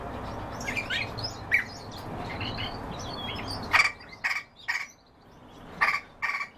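Song thrush singing loud, sharp phrases repeated three times and then twice, over a soft background of other twittering birds.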